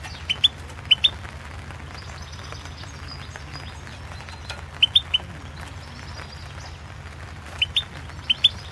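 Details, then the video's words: Competition recording of a European goldfinch, Carduelis Balcanica, from the 2016 online World Championship in Goldfinch Song; clusters of two or three crisp chirps separated by long quiet gaps, low hum underneath. "Pesma štiglića"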